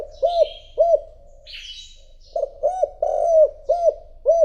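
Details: Decoy spotted dove cooing to call in wild birds: evenly spaced, rounded low coos with one drawn-out note, and a brief high chirping from another bird in the gap.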